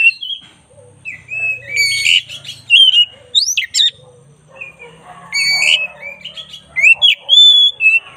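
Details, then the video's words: Black-breasted Oriental magpie-robin in full vigorous song, varied phrases mixing sweet whistles, sharp upward sweeps and harsh chattering notes, with a faint low hum underneath. "10 menit masteran kacer dada hitam GACOR"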